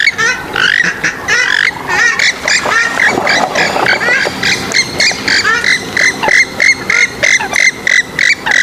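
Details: Swamphen calls: a dense run of harsh, nasal honking squawks, several overlapping voices, repeated roughly three times a second and growing more evenly spaced toward the end.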